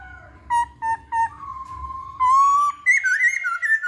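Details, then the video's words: Masked laughingthrush lure song to prompt other birds: three short clipped whistles, a long steady whistled note, then a louder rising and warbling whistled phrase. "Pancingan Poksay Hongkong"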